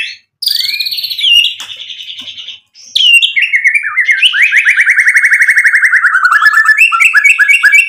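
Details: Lure song of a white-rumped shama, used so other birds answer with emotion: a long sustained whistle, a short gap, then a fast, even trill of repeated notes sliding gradually downward.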